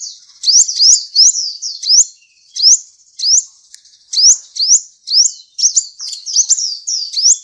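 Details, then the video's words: Sunbird of the 'ninja' type, sung as a training song for magpie-robins and shamas: sharp, high, upswept chirps in pairs and short clusters, repeated steadily with small gaps between them. "Kolibri masteran full isian"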